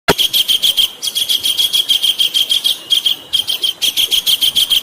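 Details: Javan kingfisher call used as a training recording for cage birds: a loud, fast series of harsh, high, evenly pitched notes, about four per second, broken by two brief pauses.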